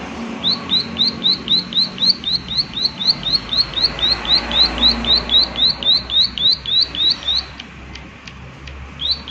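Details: Prinia giving its lively 'klik klik' call: a fast, steady run of short, sharp, high notes, about four per second, each sweeping quickly downward. The run lasts some seven seconds, then breaks off, and one more note follows near the end.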